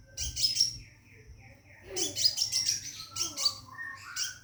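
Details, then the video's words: Caged scarlet minivet calling a female to mate: two bursts of thin, high, rapid chattering notes with sharp whistled tones, separated by a pause, with a few softer lower whistles in between. "Burung Seppah Raja Gacor Di Dalam Sangkar panggil betin kawin"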